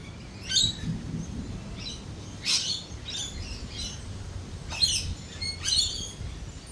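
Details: Lorikeets at a cafe screech during thunder and lightning: loud, rasping bursts, some single and some in quick pairs, scattered across a few seconds over a low murmur.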